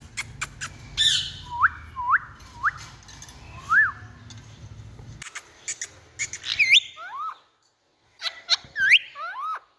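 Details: Indian ringneck parakeet giving a run of short rising-then-falling squeaky notes, then sharper upswept shrieks after a brief pause, with a low steady hum beneath the first half.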